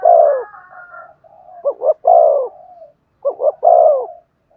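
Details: Spotted dove cooing to prompt another dove into song. A long coo, then phrases of two quick notes and a sustained falling coo, with soft murmuring between and a faint higher tone at the start.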